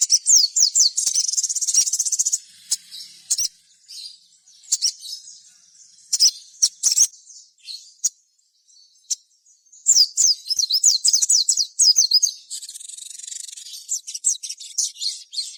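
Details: Long stretch of gacor sogon song used to coax other sogon into calling: rapid strings of high sliding whistles alternating with dense buzzy passages and scattered sharp clicks, loud and nearly continuous.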